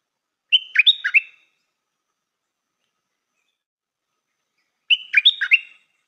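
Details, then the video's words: Stripe-throated bulbul decoy bird repeating the same short, jaunty warbled phrase twice, roughly four seconds apart, each a whistle followed by quick bubbling notes, in silence. "นกต่อใหม่เปิดดอกน่าฟัง สำนวนดี Suara pikat merbah lekir"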